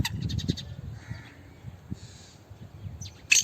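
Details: A captive black francolin of good breed gives a quick run of five harsh, grating clicks, then fainter scratchy notes and a loud rasping burst at the end, over a low rumbling background.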